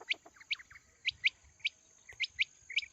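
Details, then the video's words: Quail calling, offered as a call for the coming wheat season: short, sharp, rising chirps given singly or in quick pairs at uneven gaps of about a quarter to half a second, with a faint steady high whine behind them. "Quail sounds for coming season | چیتری بلارا آنے والے گندم کے سیزن کے لیے بہت اچھی آواز"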